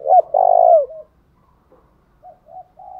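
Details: Spotted dove calling to provoke singing: one loud phrase at the start, a short note and a long, slightly falling burry coo, followed by silence and a few faint, short coos.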